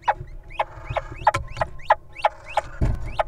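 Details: Wild little owl at a nest box holding nestlings, guarding its mate as the partner enters. A rapid series of about ten short, rising, squeaky notes, roughly three per second, over a low rumble, with a dull thump near the end.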